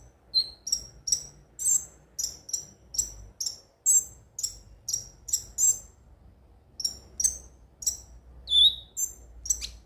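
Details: Konin (ruby-cheeked sunbird) song as a lure: evenly repeated high, tinkling double chirps about twice a second, a short gap, then more chirps and a falling whistle.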